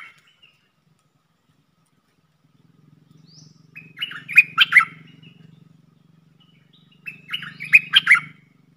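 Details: Decoy red-whiskered bulbul in a cage, used to lure wild birds, giving two short rich warbling phrases about three seconds apart over a steady low humming background.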